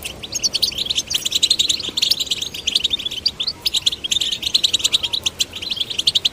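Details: Male and female goldfinch chicks being stimulated to sing: an energetic, unbroken flow of high chirps and trilled twitters, with a faint tap partway through.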